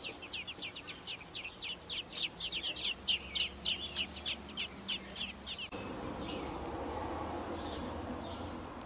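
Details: Hungry, growing American robin nestlings begging, recorded 18 June 2021: a rapid burst of sharp, high, squeaky chirps, about twenty in under six seconds, then only faint distant calls over a steady low background hum.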